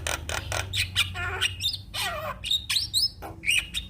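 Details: Black-winged starling singing: a burst of harsh, noisy squawks followed by bright rising whistles and a descending warbled phrase, with a steady low hum underneath.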